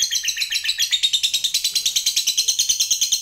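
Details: Continuous shrill pulsed chattering from a lovebird, part of a long trill played to spur other lovebirds into singing, the pulses coming quickly and evenly while the pitch climbs a little toward the end.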